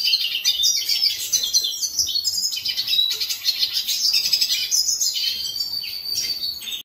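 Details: Continuous song of a hooded siskin (cabecita negra): dense, high-pitched twittering made of fast chirps, rising and falling slurred notes and brief trills, delivered without real breaks until it stops abruptly at the end.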